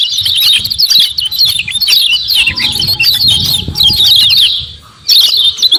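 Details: Common iora in lively form giving rapid 'ciak ciak' chatter used as a lure to provoke other ioras into calling: dense, high, sharp chirps tumbling over each other almost without pause, a brief near-silence just before the end, then chirping resumes.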